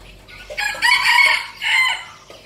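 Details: Captive decoy red junglefowl from Bình Phước province, Vietnam, crowing once: a bright, harsh phrase broken by a brief gap, then a short final syllable.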